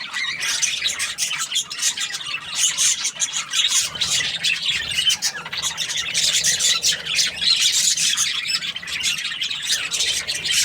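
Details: Several happy budgies keep up a steady chattering of sharp chirps, squeaks and grating warbles, overlapping without break for the whole stretch.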